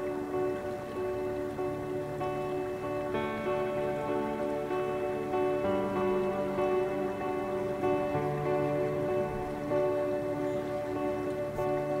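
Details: Soft instrumental music with sustained tones and a gentle rain-like patter, with no animal sounds.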